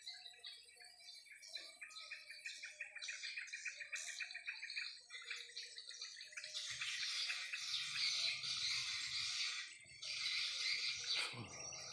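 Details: Swiftlets flying over a swiftlet house in the late afternoon twitter in a fast stream of high, thin chirps, many birds overlapping, then a dense hissing wash of sound builds behind them.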